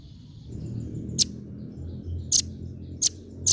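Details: Female velvet-fronted nuthatch giving four very high, sharp, clipped call notes at irregular intervals, over a steady low rumble of background noise.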